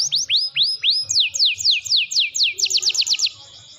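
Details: Canary (Serinus canaria) tutor song: bright, high phrases of four upswept whistles, then a quickening run of clear downslurred notes, several each second, over a faint low hum.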